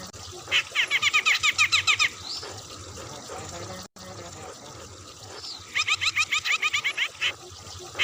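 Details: Bearded bulbul from Medan in full loud song, dense and rough, used as master song: two bursts of about a dozen rapid, harsh chevron-shaped notes, separated by a pause over steady background hiss.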